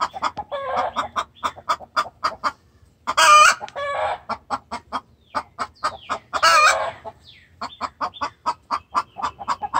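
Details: Hen locked in a cage calling the rooster in distress: rapid clucking pulses broken by two loud, raspy, wide-band squawks, the clucks resuming quickly after each outburst.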